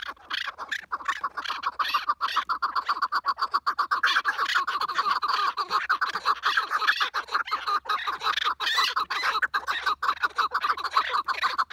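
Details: Chukar partridge in an intense calling commotion, a continuous dense stream of raspy clucking notes with barely any pause throughout.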